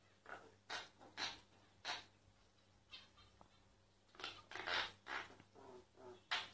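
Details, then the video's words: Myna singing, recorded secretly: soft harsh rasping notes in two bursts separated by a quiet gap, fairly faint over a steady low hum. "Mynah singing"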